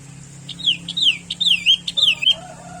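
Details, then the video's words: A common sooty-headed bulbul sings four clear, slurred descending whistles in a lively phrase, followed by a softer, lower warbled note at the close. "SUARA BURUNG KUTILANG - BURUNG CANGKURILENG"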